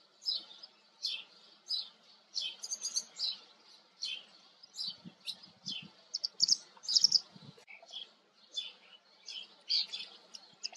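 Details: Lively run of high, sharp chirps from a white wagtail, repeated rapidly and unevenly, often in quick pairs or triplets, with a few soft low knocks in the middle.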